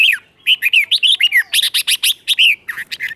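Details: Continuous quick chirping song of a red-whiskered bulbul, the doubled 'beun' style played so young birds learn it, with clear slurred whistles in rapid succession.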